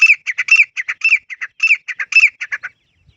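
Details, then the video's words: A grey francolin (teetar) calls in a natural forest setting, giving a loud, harsh, squeaky run of about a dozen short notes in quick, uneven pairs and triplets, then falling silent. "Grey Francolin First Time Voice 🐦 | Beautiful Natural Teetar Call"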